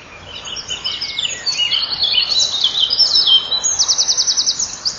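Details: From a common kingfisher nest on a May morning in 2013, where the male feeds the young and then broods them. Tumbling high chirps build, ending in a fast, even, very high rattling trill.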